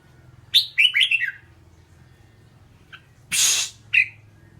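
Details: Red-whiskered bulbul gives one quick chirpy phrase of several sweet, slurred notes, then a lone short note, a loud rustling hiss, and a final clear chirp over a faint low hum.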